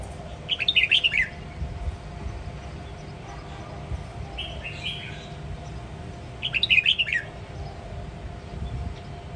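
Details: Red-whiskered bulbul of the Sông Kon line from Quảng Nam, Vietnam, singing a varied multi-voiced ché nẹt style song: two bright, rapid warbled bursts of chirping notes about six seconds apart, a softer phrase between, over steady low background hum.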